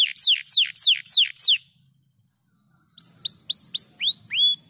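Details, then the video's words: Canary giving five quick falling sweeps, a silence, then six rising curved whistles in steady succession. "MASTERAN KENARI GACOR VOLUME PEDAS"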